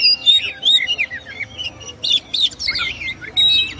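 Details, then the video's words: Song of an oriental magpie-robin (kacer) used as a master song: bright whistled slurs and chattering notes in quick succession, rising and falling, with short gaps between bursts. "SUARA BURUNG KACER, MASTERAN PARA JUARA"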